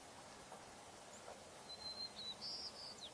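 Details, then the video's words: A white-crowned sparrow delivers one song of a slightly different variant: an opening thin sustained whistle, then a burst of higher buzzy notes ending in a downslurred note, with faint background noise. "White-crowned Sparrow singing a slightly different song"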